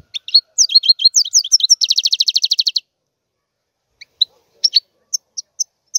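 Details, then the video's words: European goldfinch singing: a fast run of high twittering, slurred notes, then a rapid buzzy trill of about twenty repeated notes, followed by scattered sharp chirps after a short pause. "احسن وافضل تغريد طائر الحسون"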